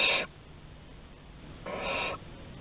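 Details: Barn owl at Théding on 11 August 2020 exploring the corridor, giving a harsh breathy hiss lasting half a second after the tail of an earlier one, over a quiet humming background.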